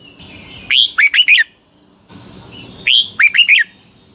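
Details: Red-whiskered bulbul from Pa La-u, Thailand, singing a short, bright phrase of four liquid, bubbling whistled notes, repeated twice about two seconds apart, over a steady high hiss.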